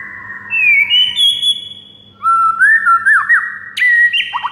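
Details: Morning song of a white-rumped shama, played as a master recording for training other songbirds: clear whistled phrases, sliding upward in steps, a pause, then a run of rich fluting notes and quick rising slurs.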